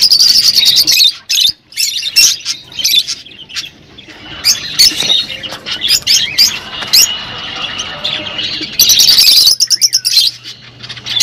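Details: Mixed rosy-faced and Fischer's lovebirds chattering to stimulate breeding: rapid, shrill squeaks and twittering, dense and irregular, with a short rising whistle near the end and a steady low hum.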